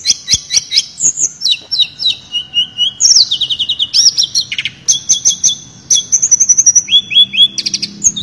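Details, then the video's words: Tledekan, also called Sulingan, in full lively song with the fluting 'nyuling' style and mimicked phrases: a fast continuous stream of high pure whistles, descending slurs, trills and clipped chirps, barely pausing. "Burung Tledekan Gacor Suara Nyuling Muntahin Isian FULL"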